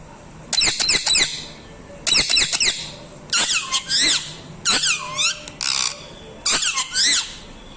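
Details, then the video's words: Bursts of harsh, high parrot screeching, grouped in rapid runs of three to five notes roughly every second, some ending in a downward swoop, indoors-sounding with a low background drone. "TELKING PARROT"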